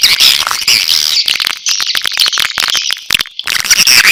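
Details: Swiftlets in a natural lure-call recording of the style known as sp. elang Borneo, used to attract swiftlets: dense, high buzzy twittering and rapid clicking chirps, with brief drops in the chatter near the middle.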